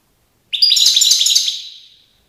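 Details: European goldfinch song recorded in Tiaret in 2019: a rapid, high tinkling burst of twittering notes lasting about a second and a half, fading at the end, with no other sounds.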